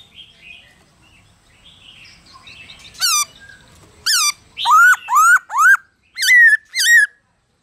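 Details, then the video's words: After a quiet start, a black-throated laughingthrush delivers its forest-style training song: about seven strong, rich whistles, some swooping up then down, others flatter and trilled at the end. "Khướu Hót giọng rừng HAY kích khướu bổi,luyện khướu bổi hót nhanh căng lửa"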